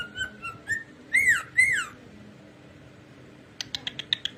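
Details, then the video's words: Pet cockatiel singing indoors: a few short whistled notes, then two louder rising-falling whistles with rich harmonics, followed by a quiet gap and a run of about eight sharp clicks near the end. "Adorable Cockatiel Jerry's Super cute Singing Moments"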